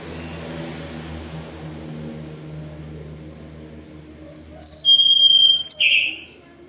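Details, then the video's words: During moult, a hill blue flycatcher keeps singing: after a low rumble of background noise comes a clear run of high whistled notes stepping downward, finishing in a fuller warbled flourish. "KICAUAN TLEDEKAN GUNUNG, mabung tetap gacor"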